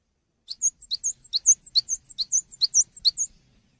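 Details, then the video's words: Gelatik batu, or cinereous tit, delivering an energetic tutor song for songbirds: a clean, fast sequence of about fifteen high, sharp chirps alternating between two pitches over nearly three seconds, otherwise quiet. "GELATIK BATU GACOR UNTUK MASTERAN"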